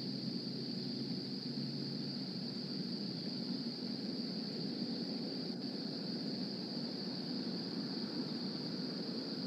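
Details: Constant hiss with a steady high electronic whine and low rumble throughout; no animal calls can be picked out.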